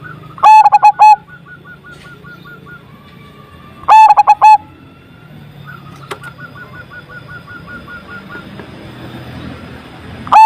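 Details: Zebra dove with a big voice, whose song is used to set silent doves singing: two quick bursts of clipped, resonant coos about three seconds apart, with a faint rapid series of higher notes and a low hum behind.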